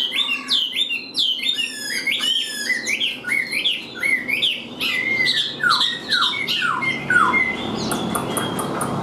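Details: Loud, varied song of a caged, hand-tamed Chinese hwamei: bright whistled notes in quick series, swooping downslurs repeated in runs, then a harsher buzzy stretch near the end.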